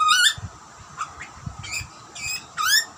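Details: Hungry wild butcherbird chick in Australia begging as parents feed it: a few short rising harmonic squeals separated by pauses, with faint low rustling between calls.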